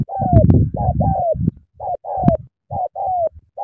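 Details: Sắm thổ cooing of a spotted dove in Cà Mau, Vietnam: drawn-out coos that slide downward, with a heavy low rumble under the first notes, then cleaner spaced coos with brief gaps.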